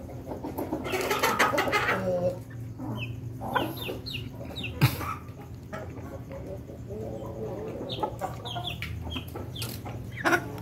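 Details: Ayam Ketawa rooster calling as it eats: a run of quick pulsed, harmonic syllables for about two seconds, then scattered softer clucks and clicks over a constant low hum.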